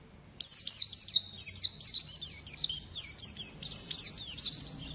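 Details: Oriental white-eye, ngalas variety, singing a lively continuous ngerol roll used as masteran tutor material: after a brief silence, a rapid unbroken stream of high, sharp zigzag notes runs on without pause.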